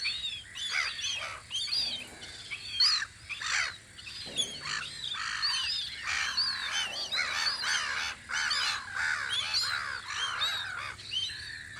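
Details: Many gulls clamor at their spring post on Audru polder, rapid overlapping squawks and yelps filling nearly twelve seconds, with a brief lower sound near the middle.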